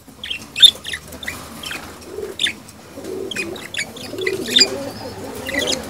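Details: Budgerigar mating sounds: budgerigars chatter in quick, scratchy high chirps and clicks, with short bursts every second or so over a soft warbling murmur.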